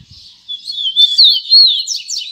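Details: Double-collared seedeater singing in the tui tui zel zel style: a high, clear whistled phrase that wavers up and down, ending in a few quick sharp rising notes, with no other sounds.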